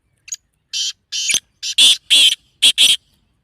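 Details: Black francolin call meant to excite the bird into breeding mood: a series of about eight harsh, rasping, buzzy notes, starting short and soft and growing louder and longer, with the last notes in quick pairs.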